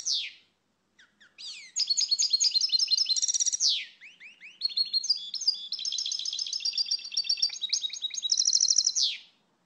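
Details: Singing European goldfinch, the Portuguese pintassilgo, delivering long, fast runs of liquid twittering and trilled notes, broken by short pauses and a few slurred, rising chirps.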